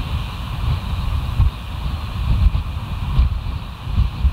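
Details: Gusty wind buffets the microphone in uneven low rumbling waves, with no animal voices heard.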